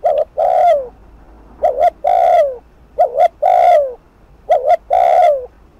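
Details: Rapid 'thúc gù' cooing of a spotted dove meant to provoke rival doves at a decoy. Four phrases in under six seconds, each a clipped two-part note and a long, falling, resonant coo.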